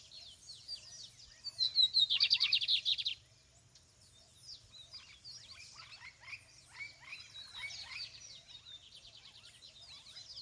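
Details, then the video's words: Lined seedeater in the field: a bright, rapid buzzy pulsed trill lasting about a second, followed by many faint, quick high twitters and chips from other birds over a low background hum. "Campeada de bigodinho"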